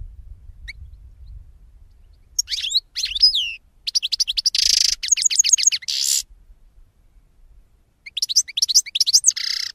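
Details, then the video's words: Extended European goldfinch song: tinkling twitters and slurred whistles followed by fast repeated ringing notes and a buzzy passage, a pause, then another lively high twittering phrase. "Cante De Jilguero"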